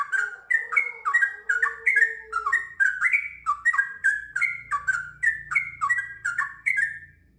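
Sooty-headed Bulbul in a long, lively run of bubbly, liquid notes, rising and falling about twice a second without pause; a faint low hum underneath.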